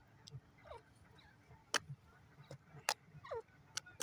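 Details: Francolin, locally called teetar, in a forest: loud downward-sweeping call notes and sharp clicks repeated roughly every second, over low background rumble.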